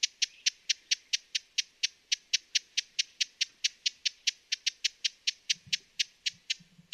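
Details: Broad-billed hummingbird giving a steady run of sharp, high, clicking chips, roughly four per second, with faint low rumbles near the end.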